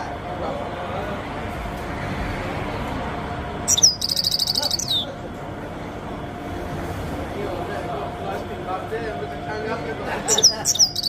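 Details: Grey-headed goldfinch calling, a short run of bright, high buzzy chirps around four seconds in and again near the end, set against steady low background hum and rumble.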